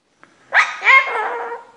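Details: A pet cockatoo, filmed indoors by housesitters while its owners were away, says its favourite word: one drawn-out, harsh, voice-like utterance lasting about a second, rising then fading, after a faint click.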